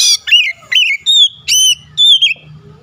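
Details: An oriental magpie-robin lure song to provoke a rival: five loud whistled notes, each a quick downward slide with clear overtones, spaced roughly half a second apart, over a faint low rumble.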